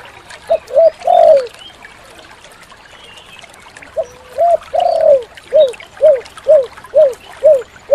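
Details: Spotted dove, called tekukur, singing a clear, long-lasting song: a few soft low coos early, a pause, then a steady run of short rounded coos about every half second, with faint trickling background sound.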